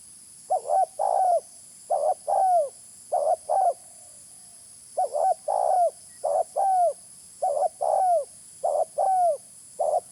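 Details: Spotted dove cooing as a lure sound, eight quick phrases over ten seconds with one brief pause midway. Every phrase has a short wavering opening coo and a longer coo that bends downward. The background stays quiet.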